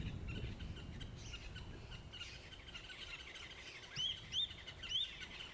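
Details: Fork-tailed drongo on a morning safari, 9 November 2016, gives three short, very high, upslurred whistles about half a second apart, mimicking the Wahlberg's eagles it is mobbing, over a low outdoor rumble.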